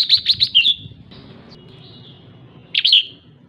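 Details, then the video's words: Female red-whiskered bulbul making 'ché' calls meant to stir up males: a quick run of four sharp chirps, a slurred note, then silence before a closing cluster of harsh twittering notes. "Chào mào mái ché/chào mào mái ché kích trống/ché kích trống căng lửa nhanh ché"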